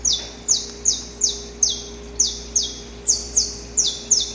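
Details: Saffron finch recorded in nature, a male giving the long, harsh pre-dawn song while courting a female: sharp high notes sliding downward, about ten in four seconds at uneven spacing, over a steady low hum.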